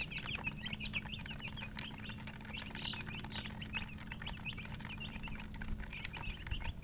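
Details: Baby chicks in a group give a steady stream of sharp high peeps, overlapping without pause, with occasional longer thin whistles and a background hum.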